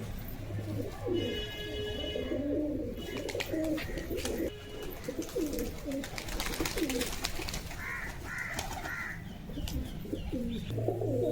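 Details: Several domestic pigeons, released and given feed and water, coo and call together in low, rolling murmurs while a man talks over them.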